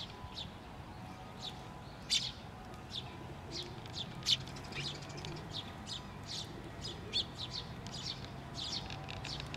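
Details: Chick calling on a post at a Tenmangu shrine on 16 May 2023, a parent bird coming back; scattered high chirps with a few louder notes, plus a low hum and murmur underneath.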